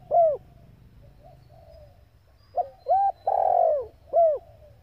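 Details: Spotted dove hen, kept in Vietnam for training decoys, calls to fire up males: a short arched hoot, a pause, then a three-part phrase of rising and falling low coos ending in a long slurred note and one more hoot.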